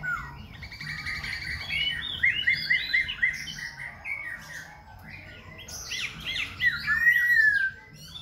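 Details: Khe Sanh laughingthrush singing and dancing, switching voices continuously: varied whistled phrases, a rapid run of about five sharp repeated notes, and buzzy, rasping segments, ending in a long, clear, rising and falling whistle.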